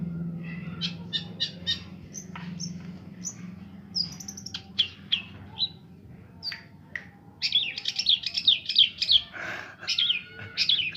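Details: Long-tailed shrike, a bird able to imitate some forty other species, singing a varied medley: scattered thin whistles and chips, then a fast scratchy chattering run and shrill rising notes, over a low steady hum.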